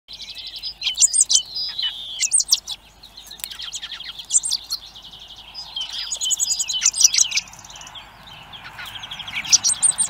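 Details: Hungry common blackbird chicks begging at a feeder camera site in Recke, Germany: dense bursts of high, thin, rapidly repeated chirps and squeaky notes, several overlapping voices in clusters every second or two, with quieter gaps between.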